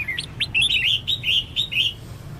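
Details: Female red-whiskered bulbul calling to spur males into song, a lively string of whistled chirps and slurred warbles running continuously for about two seconds over faint low hum.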